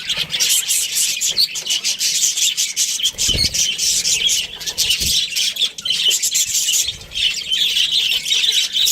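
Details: Steady high twittering and buzzy chatter from an Australian budgerigar breeding pair, with a couple of soft low thumps partway through.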